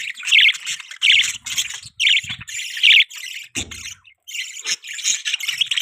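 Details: Budgerigars chirping as pets: loud, grating, buzzy chirp phrases in bursts about once a second, with softer chatter between and a low thump near the middle.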